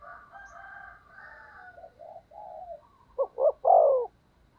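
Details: Spotted dove used as a decoy for luring wild doves. Faint distant coos and higher drawn notes come first, then a loud close phrase of two short notes and a long falling coo.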